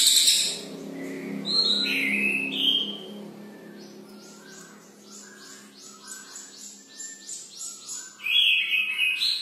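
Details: Brown cililin singing persistently and unprompted, without a lure recording. It gives varied high chirps, short rising and falling whistles and a run of quick clipped notes, with faint low background hum.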